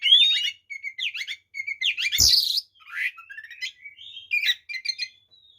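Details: Oriental magpie-robin combative song full of imitated phrases, meant to provoke other magpie-robins: an upward whistle, repeated short chattering phrases about once a second, a harsh screech, then warbling slides and clipped trills.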